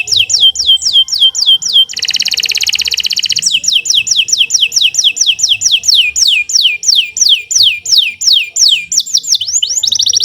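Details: Kenari Nusantara canary singing a long continuous song used as master song for training: repeated downslurred whistled notes, about ninety per minute, interrupted by a dense buzzy trill, then more falling notes to the end.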